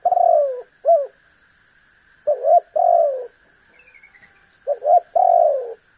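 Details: Spotted dove coos used to provoke a rival bird: a long burred falling coo and a short note, a gap, then paired short coos leading into another drawn-out descending coo, repeated again near the end.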